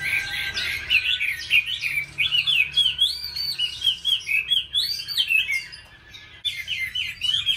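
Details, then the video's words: Oriental magpie-robin in a singing duel with bulbuls, laughingthrushes and doves: lively, varied song of bright whistled phrases rising and falling, repeated rapidly in pulses, with other birds chattering in the background. "Mi Chòe hót đấu cùng chào mào, khướu , cu gáy"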